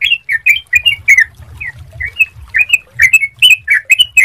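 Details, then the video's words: Lure song of a sooty-headed bulbul meant to make other bulbuls sing quickly: lively whistled phrases of slurred notes, briefly sparser midway, then dense again, over a faint low background rumble. "Pancingan Suara Jernih Untuk Trucukan Agar Cepat Bunyi"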